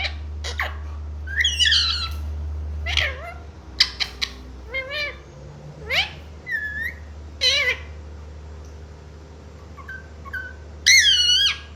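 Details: Pet green Indian talking parrot, a baby, mimicking the words "mummy" and "papa"; a run of short, bright, harmonic voice-like syllables, some rising and some falling, with sharp clicks between them over a steady low hum.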